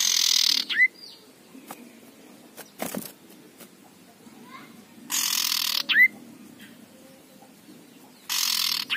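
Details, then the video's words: Harsh rasping ngekrek bursts from a fierce male common iora come three times, at the start, midway and at the end. Each of the first two ends in a quick upward-sweeping whistle. Faint chirps fill the gaps. "pancingan cipoh jantan galak ngekrek suara kasar"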